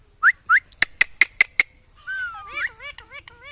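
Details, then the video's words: Rose-ringed parakeet calling: two short rising squeaks, then five sharp clicking notes, followed by a looping whistled call and a run of quick wavering chirps. "Tota Ki Awaaz"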